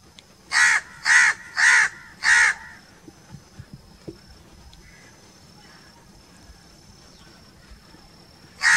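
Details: Crow calling in a natural setting: four harsh, loud caws about half a second apart, then a pause with a faint high steady tone and light background rustle before another caw begins.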